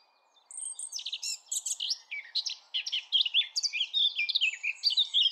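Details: Eurasian blackcap song: a rich, fast warble of varied high notes and clear fluted phrases tumbling up and down without pause, with a faint steady background hum.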